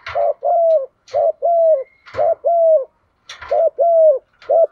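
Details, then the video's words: Female spotted dove, whose call is used to set males cooing: paired mellow coos, a short note then a longer drawn-out one, repeated about once a second, with sharp clicks or taps before each pair. "Tiếng chim cu gáy mái dùng kích chim trống gáy theo"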